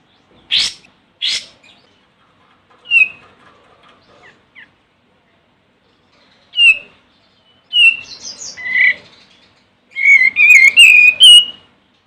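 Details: Olive-winged bulbul calling a rival: two sharp harsh notes, then scattered short whistles, building into a fast run of bubbling, warbled whistled phrases at the end.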